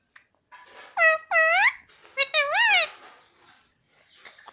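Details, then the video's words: Talking pet parrot that says "mummy" and "papa" nonstop, heard indoors giving a quick string of speech-like syllables, strongly harmonic with swooping rises and falls, and soft clicks and rustles between phrases. "parrot talking || nonstop talking mummy papa"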